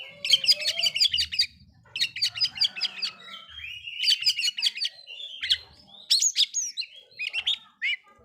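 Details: Oriental magpie-robin singing to provoke rival magpie-robins, with rapid buzzy chattering phrases in repeated bursts, interspersed with sharp whistled notes and upslurs.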